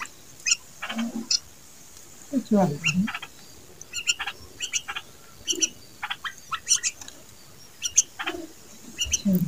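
A bulbul chick gives short, sharp, scratchy chirps in irregular bursts every second or so, with low murmuring human voices underneath.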